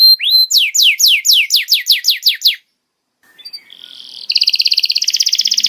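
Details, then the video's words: Canary tutoring song for juveniles, with one rising whistle and then about ten steeply falling swept notes at steady tempo, followed by silence and a loud buzzy pulsing trill. "MASTERAN KENARI PAUD LEBIH CEPAT BONGKAR ISIAN"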